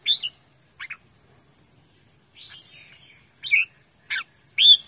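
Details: Sparse loud calls of a red-whiskered bulbul: single sharp chirps and slurred whistled notes with long silent gaps, the playful phrases ending on a strong rising note.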